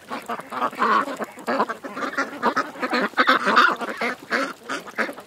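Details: A crowd of ducks on a creek gives a steady stream of overlapping quacks and short honks, louder in bursts.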